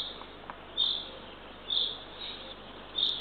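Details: At dawn on 3 June 2023, a young Eurasian eagle-owl in a Northern Estonian nest is fed by the female, giving three brief high rasping calls spaced about a second apart against constant background hiss.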